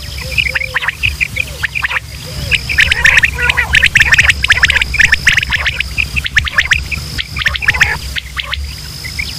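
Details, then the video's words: Quail in Pakistan calling, male and female sounds for luring birds to hunters: dense overlapping chirps and squeaky notes, loudest in the middle, over a persistent low hum and a steady high-pitched whine. "sound of quail | new batair ki Awaz صدای بلدرچین"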